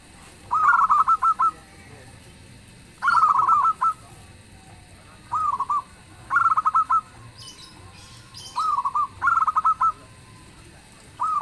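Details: Zebra dove of local stock singing strongly, with other birds replying. Mellow rolling coo phrases, some with rapid stuttered starts and some smoother, alternate at intervals of one to two seconds over quiet background.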